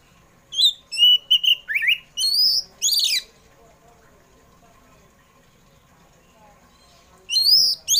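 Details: Oriental magpie-robin singing in the afternoon, used to lure pet birds to sing: bursts of clear whistled notes and rising slurred phrases between 3 and 5 seconds of silence, then a brief whistled burst at the end; faint steady hum beneath.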